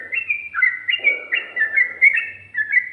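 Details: A brief burst of yellow-vented bulbul song in ropel, ngikluk and garuda styles: a quick string of clear, slurred whistles stepping up and down, with faint background murmur.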